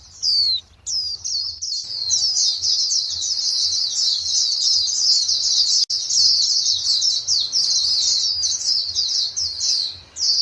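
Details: White-eyes in a flock calling back and forth, a nearly continuous stream of high, sweet chirps and twitters overlapping one another, briefly quieter near the start and the end.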